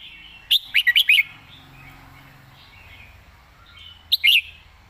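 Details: Red-whiskered bulbul singing the master song with clearly articulated notes: a rapid phrase of five bright, bouncing whistles, a pause with faint chirps, then a shorter repeat of the phrase.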